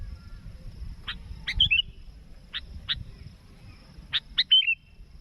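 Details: Sooty-headed bulbul calling to draw in a rival for trapping, giving sharp clicking notes and short, quick whistled phrases that break off and come again, with low rumbling noise underneath.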